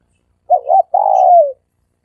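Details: Cooing dove used as a lure: a short doubled coo followed by a long, steady, slightly wavering coo that falls away at the end, with clean silence around it.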